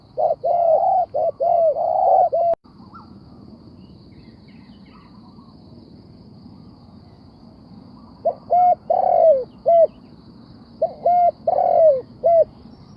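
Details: Spotted dove used as a trapping decoy, cooing in bursts of short and longer mellow notes, then a long silent pause with a faint hum before another run of paired coos resumes.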